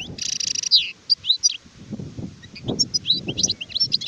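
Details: Adult European goldfinch singing, recorded 2019: rapid high twittering of sliding whistled notes with a buzzy, nasal trilled burst at the start, then a quick run of varied chirps; faint low rumble underneath.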